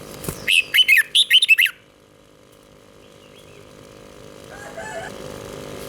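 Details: In Thailand a red-whiskered bulbul delivers a southern master-style song for stimulating caged birds: one quick, cheerful run of about eight rich, looping whistled notes, followed by near silence with faint distant chirps.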